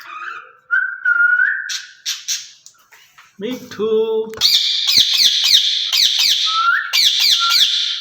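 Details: Two caged rose-ringed parakeets said to be talking to each other in Urdu or Hindi; a clear rising whistle, a short low voice-like phrase, then rapid shrill squawks repeated about three or four times a second.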